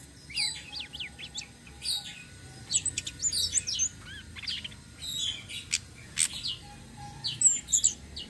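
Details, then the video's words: Flowerpecker (tledekan sitrun selendang biru) singing in rolling style, kept as bait for other birds: clusters of sharp, very high tweets and thin slurred notes in quick bursts, with a faint lower whistle. "BURUNG TLEDEKAN SITRUN SELENDANG BIRU NGEROLL||BISA BUAT PANCINGAN"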